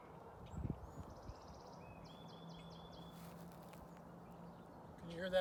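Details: Distant Song Sparrow at Walla Walla Point Park, Washington State, near the river on 7 April 2020: a thin, buzzy trill followed by a run of quick, clear notes over a steady low hum, with a voice breaking in at the end.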